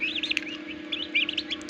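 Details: Loud, dense peeping from turkey chicks hatching in an incubator machine in Darrang, Assam: rapid overlapping high chirps in two bursts, each note briefly rising and falling, over a steady incubator drone.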